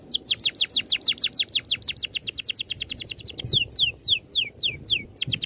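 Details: Oriental magpie-robin pouring out a dense masteran song: a fast run of sharp, steeply falling whistled notes, nearly six per second, easing into slower, fuller downslurs near the end.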